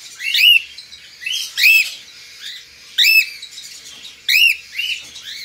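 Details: Hand-tame white-face pearl cockatiel chick, recorded 31 May 2022, giving loud arched screeching calls in pairs, roughly every second and a half, with softer chirps in between, in a quiet room.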